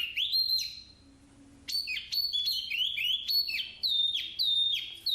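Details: Black-capped babbler singing a long, level whistle, a pause, then a run of sharp, bright whistled notes. Some notes dip and others hold steady, repeated about once a second over a low hum.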